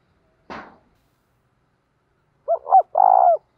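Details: Spotted dove decoy cooing to lure wild doves: a short noisy rustle, silence, then two quick arched notes and a longer rough coo.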